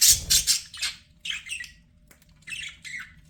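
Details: Pet budgerigar chirping: a loud cluster of harsh, scratchy chirps in the first second, a short pause, then softer chattering notes in two bursts.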